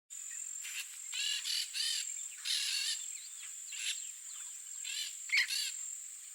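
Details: Yellow-faced parrot (Alipiopsitta xanthops), Brazil, gives harsh, scratchy screeches in short bursts, about one or two a second, over a steady high insect drone.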